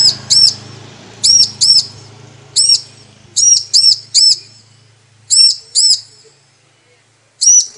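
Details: Female bar-winged prinia calling for a male, a lure to set males singing: many paired, high, sharp chirps at uneven intervals over a low background rumble that fades near the end.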